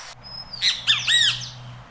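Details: A Great kiskadee (Pitangus sulphuratus) calling in Costa Rica gives a thin whistle, then three loud, harsh, buzzy notes in quick succession like "kis-ka-dee", over a faint low hum.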